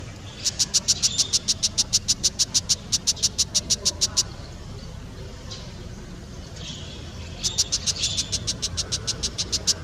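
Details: A Brown shrike (Lanius cristatus) gives rapid, harsh chattering calls, about eight notes a second, in a four-second burst, then another after a pause, over a low background rumble.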